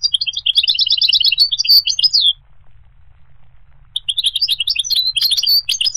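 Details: Goldfinch song: rapid twittering phrase of high, jingling notes for about two seconds, a pause, then another quick burst of tinkling, buzzy notes.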